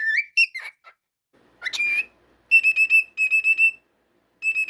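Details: Cockatiel at home giving a few swooping whistles, then a run of steady, evenly pitched short notes repeated about four times a second, in silence otherwise.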